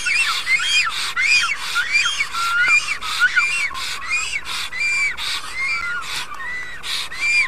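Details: At a wild nest in Karula National Park, Estonia, a black stork greets its mate, recorded by a nest camera; rapid series of rasping, whistled arched notes, slightly uneven in pitch and spacing.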